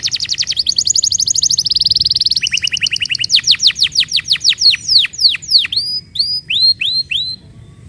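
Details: Canary song used as a lure to prompt silent, reluctant canaries to sing: fast high buzzy trills shifting pitch every second, then a run of loud descending whistled sweeps that slow and space out toward the end.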